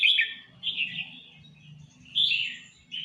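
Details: Red-whiskered bulbul in full song: three separated bursts of rich, gurgling, warbled phrases with quieter pauses between, a faint low hum underneath throughout.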